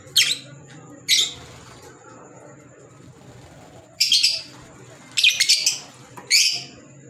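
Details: Isolated harsh, high squawks from green Fischer's lovebirds, kept as pets, spaced by pauses of one to three seconds, with a faint steady whine in the background.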